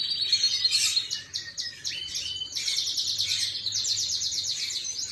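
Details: Canary song recorded 11/5/25, a fast varied warble of high chirps and rapid trilled rolls, shifting between bursts of buzzy notes and clear rising whistles, over a low steady background hum.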